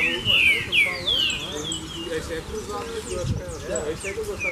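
A seedeater sings a quick run of slurred, falling whistles and bright chirps, several notes each second, over a low background rumble.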